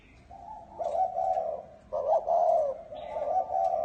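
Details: Spotted dove giving a 'chuông đồng' bronze-bell style coo meant to stir up males and females: a repeated mellow, hollow cooing phrase with two loud rounded notes and a softer trailing note, fairly steady in pitch.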